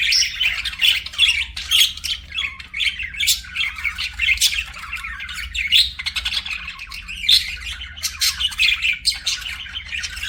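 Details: Pet budgerigar in lively song, a long run of rapid chirps, whistles and scratchy chatter with frequent sharp peaks, accompanied by a faint low hum.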